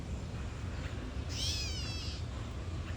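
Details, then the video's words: Catbird near its nest with tail spread delivers a single wavering, cat-like meow lasting under a second, above quiet low background noise. "Catbird protects nest - puts on show"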